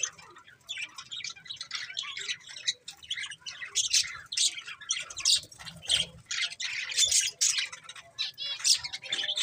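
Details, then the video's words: Budgies chattering together, with rapid high-pitched chirps, squeaks and harsh squawks crowding one another, growing denser and louder in the second half. "Cute Budgies Chirping Sounds"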